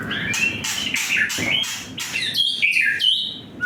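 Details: Young white-rumped shama singing while agitated. Rough, loud bursts of notes come first, then a series of stepped whistled phrases that jump between higher and lower pitches, all over a constant low rumbling background noise.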